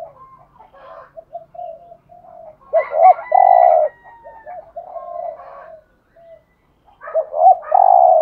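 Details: Lure spotted dove gives soft murmured notes building to loud coos: double notes and a long rough coo, repeated near the end. A thin high whistle and chirps sound in the background.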